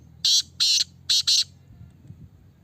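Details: Black francolin kept in a cage, calling during a test with four loud grating notes, two long then two short and close together, over low hum.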